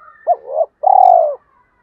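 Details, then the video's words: Spotted dove call played to draw in wild birds: one arched coo with a soft follow-on, then a long, evenly vibrating coo that falls slightly at its close. "Tiếng cu gáy kích bổi"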